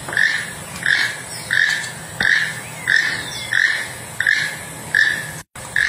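A toucan gives a hoarse, frog-like croak over and over, about one and a half times a second, in steady rhythm against a faint low background hum.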